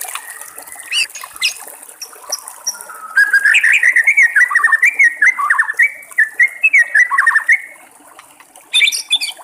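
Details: White-rumped shama in the wild singing near gurgling water: a few scattered chirps, then a sustained stream of warbled, twisting whistles for several seconds before a pause and a brief high flourish, with steady water noise throughout.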